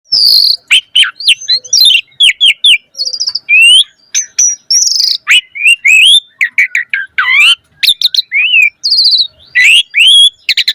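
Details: Asian pied starling in energetic, richly varied full song, used as a lure to get other starlings singing: a rapid jumble of clear whistles, upslurred notes and brief buzzy bursts, mostly high-pitched, with short gaps between phrases.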